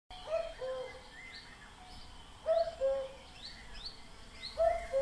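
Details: Common cuckoo gives its two-note descending cu-coo three times, about two seconds apart, clear and mellow. Thin, higher chirps from other birds sound in the background.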